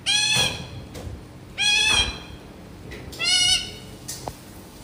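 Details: Pet parrot mimicking a goat: three wavering, bleat-like nasal calls rich in harmonics, each about half a second long, spaced roughly every one and a half seconds, with a faint click near the end and quiet room background.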